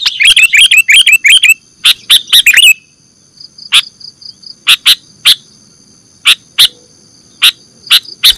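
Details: Sooty-headed bulbul chatter played as a bird-catching lure. A quick series of bubbly chirps opens the clip, then gives way to sharp, spaced clicking snaps over a thin steady high tone.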